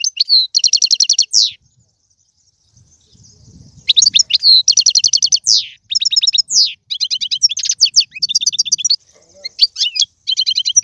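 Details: Goldfinch twittering 'bitbita' for stimulating a pet goldfinch: a fast trilled phrase, a pause of about two seconds, then repeated bright twitters, buzzy runs and sweeping slurred notes.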